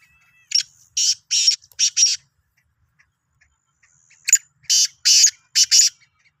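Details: Black francolin, the Sindhi kala teetar, sounding two bursts of short, harsh, high rasping notes, about four or five notes each, separated by a few seconds of silence.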